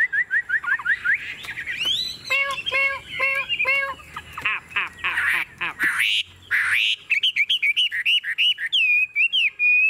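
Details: A tame Chinese hwamei in a cage gives quick upslurred whistles, a cluster of rich ringing notes, rough scratchy bursts, then a smooth wavering warbled phrase.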